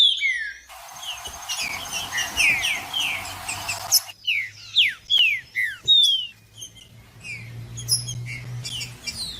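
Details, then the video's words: Trinca-ferro song aimed at warming up a silent bird: steep falling whistled notes in clusters, a busier noisy middle section, then sparser high notes with a faint low hum at the end. "MELHOR VÍDEO PARA ESQUENTAR TRINCA FERRO FRIO 2024 TRINCA FERRO JUDAS"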